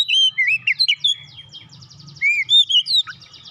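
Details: Oriental magpie-robin (kacer) song recorded as a tutor for training songbirds: sweet slurred whistles, some rising, some falling, with faint buzzy trills between.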